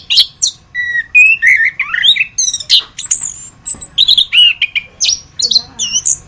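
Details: Masteran tutor recording of orange-headed thrush singing: a dense, nonstop medley of sweet whistles, falling slurs, buzzy notes and sharp high chips that changes phrase every half second. No other sounds stand out.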